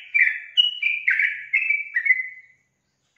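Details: Sooty-headed bulbul song: a connected run of warbling, slurred whistles that drifts downward and fades out, followed by silence.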